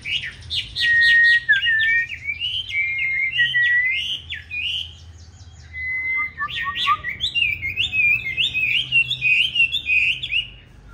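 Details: Chinese hwamei of the 'Lục Đậu Thanh' type in competitive fighting song, a model for soft, non-harsh training: long whistled notes mixed with rapid warbled phrases, a short pause, then a busy rising warble.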